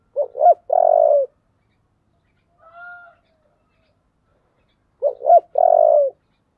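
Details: Spotted dove with a 'giọng thổ' voice giving heated fight-urging coos. Each phrase has two quick hooked notes and a long, level coo, repeated about every four and a half seconds. A faint, thin, clear tone sounds between phrases.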